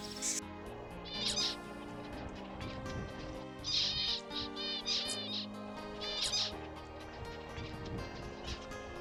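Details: A lone wild male Zebra Finch practising his song in the drylands of NSW/Queensland, Australia, June 2021: three short bursts of nasal, buzzy, stacked notes two to three seconds apart, over background music.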